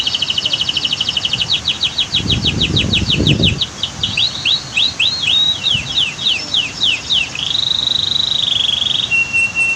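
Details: Canary song set against a natural scene with a waterfall and dam: long rapid runs of high repeated notes, a trilled series, then a sustained even tone at the end, with a short low rumble near the start.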